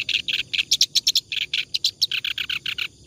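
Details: Clamorous reed warbler in continuous 'ngacor' singing, used as a master recording for training other songbirds: rapid harsh, scratchy chattering notes, about six per second, with brief higher squeaky accents, no other clear sounds.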